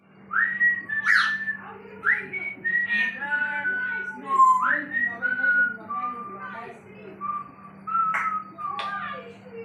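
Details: African grey parrot whistling a run of clear tonal notes, some rising sharply and others held level, in short phrases with brief gaps, over a steady low hum and faint music.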